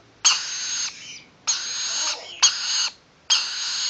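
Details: Four loud, scratchy, hissing bursts, each starting abruptly and lasting under a second, come from rainbow lorikeet chicks of almost seven weeks being scratched.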